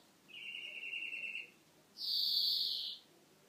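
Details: European greenfinch song phrase: a short rolling trill of rapid notes, a pause, then a loud, high, sustained drawn-out note lasting about a second, with low background hiss.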